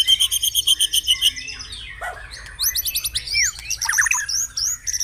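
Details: Shama song meant to set caged birds singing: opens with a steady fast trill of repeated notes, then sharp descending and rising whistles and buzzy chips in quick varied phrases.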